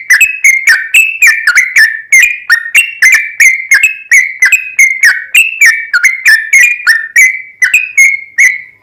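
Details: Long, nonstop 'ropel panjang' song of a vigorous yellow-vented bulbul, used as a lure to make other bulbuls sing; rapid, chattering liquid notes pour out continuously and loudly.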